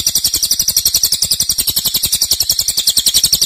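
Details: Cililin singing hard and long as a training master for songbirds; a short stretch of very quick, high, rattling buzzy pulses repeated evenly.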